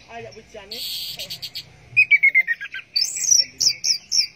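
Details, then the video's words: An orange-headed thrush sings teler style, with a buzzy rasp, then a fast descending series of whistled notes and high repeated chirps. "Burung Anis Merah Teler"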